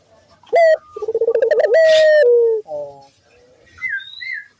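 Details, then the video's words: Single ringneck dove coo phrase for luring other doves: a short rising note, a rapid pulsed roll, a sustained tone easing downward and a low buzz, followed by faint high chirps from other birds. "pancingan burung puter gacor,bikin puter lain ikut bunyi"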